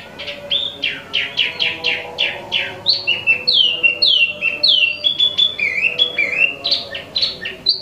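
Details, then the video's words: Tieu Mi, sold as an imported Wambi mini, singing non-stop: a fast series of harsh rasping notes about two per second, giving way to varied whistled upslurs and chirps. "Wambi Mini Asli Impor/Tieu Mi Gacor 12 Menit Non Stop"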